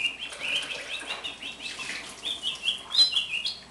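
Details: Caged house finch, a year old and hand-raised from the nest, delivers a continuous jumbled warble of short slurred notes, steady and musical, rising toward the end. A juvenile Brown-backed Solitaire with unfinished song is heard behind it.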